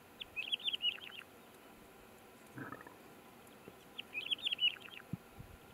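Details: A Red Lark in South Africa gives two brief, jumbled phrases of high, chirpy notes, about four seconds apart, with a faint low thump between them.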